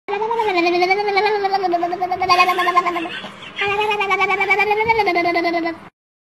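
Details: An umbrella cockatoo, filmed around a shower, gives two long, wavering, nasal calls, each a few seconds long, rising and falling in pitch with a short break between them.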